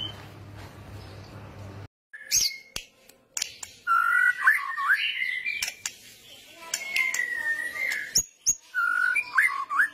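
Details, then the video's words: White-rumped shama, kretetan-style song used as a training lure: varied whistled phrases wavering up and down, broken by sharp clicks and short bursts, with a quiet stretch at the start. "masteran pancingan kretetan burung murai batu gacor"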